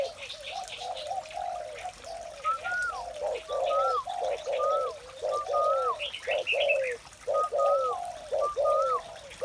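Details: Spotted dove cooing in the morning, low rounded notes repeated about once a second, while another bird adds clear thin whistled slurs higher up and short bursts of twittering.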